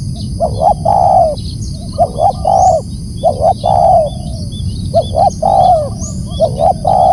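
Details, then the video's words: Loud spotted dove call, a rhythmic series of coo phrases: a pair of brief hollow notes followed by a drawn-out falling croon, repeated about every second and a half against low background hum. "Suara lantang memanggil BL"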